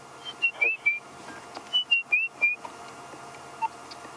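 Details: A robin at Sabi Sand, South Africa, at sunset on 2 March 2016, in the calm evening, sings two short phrases of clear, sliding whistled notes, each about a second long, then a single softer note over a faint steady hum.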